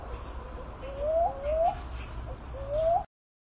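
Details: Philippine cuckoo-dove (Macropygia tenuirostris) with three smooth, upward-sliding coos, two close together and one after a short pause, over faint low rumble before the sound cuts off.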